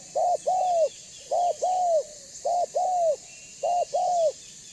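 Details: Lure call of a banggo-voiced spotted dove, meant to make other doves call back and come near: four rhythmic two-part phrases, a short coo then a longer bowed one, repeated roughly every second.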